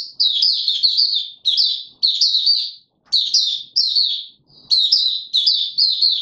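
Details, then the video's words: Clean bursts of high, sweet twittering from a male white-eye being pushed on form, 31 December 2021; phrases last under a second, repeat steadily with short silent pauses, background quiet. "Mata Puteh - Raja V2 Pushing him on form buka sing"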